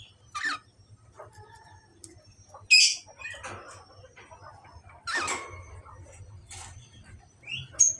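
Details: Australian finches in a recording meant to bring them into breeding condition and egg-laying give scattered short, high chirps and buzzy notes a few seconds apart, with soft fluttering and a faint low hum underneath.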